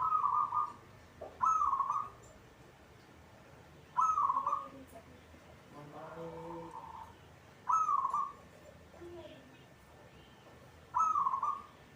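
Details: Caged zebra dove of local stock singing often: five short bright trilled coos spaced two to four seconds apart, with a brief softer mixed sound in the middle.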